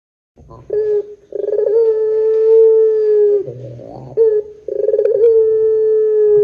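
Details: Barbary dove lure call in the long 'pelung' style: a brief pulsed lead-in swelling into a long even hoot, a soft low grunt, then a second throbbing burst and drawn-out tone; clean, quiet background.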